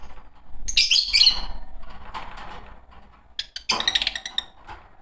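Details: Green pair of Fischer's lovebirds: one loud, shrill chattering burst early on, then softer rapid chirps and a second harsh burst over a noisy background.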